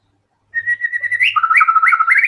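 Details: White-rumped shama whistling a level note that breaks into quick repeated up-and-down whistled notes, rising toward the end, with a faint low hum beneath.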